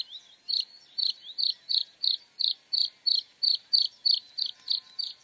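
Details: Bluethroat song phrase: one bright, buzzy, high note repeated steadily about three times a second for five seconds, each note a clipped, ringing chirp over a faint thin background whine.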